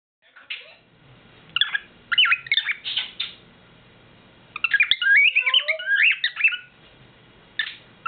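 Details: Male pet bird's nightly serenade indoors: bursts of bright whistled chirps and squeaky, rising and falling notes in short phrases with pauses between, plus a few lower slurred whistles, with another pet bird chiming in the background.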